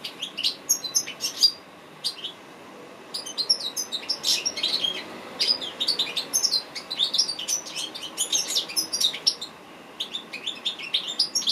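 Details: Goldfinch song recorded by the owner, offered for training birds; rapid high twittering and tinkling notes in long bursts with brief pauses, a fast stream of short chirps.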